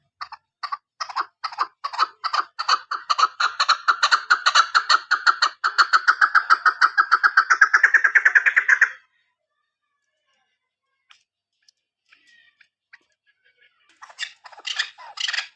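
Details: Female chukar partridge call used for hunting: a long series of harsh chuck notes that speeds up and rises in pitch over about nine seconds, then stops; later brief rustling and clatter.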